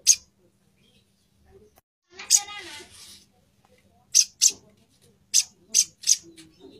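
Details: Female plain-throated sunbird calling to the male with clear, isolated high chips, first single, then in pairs and a run of three, with a brief human voice and quiet gaps.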